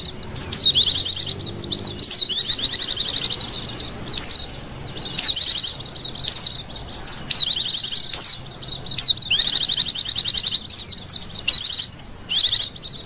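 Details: Oriental white-eye lure sound for attracting birds: busy, very high chatter of rapid slurred notes in repeated bursts, interspersed with louder sharp single calls toward the end.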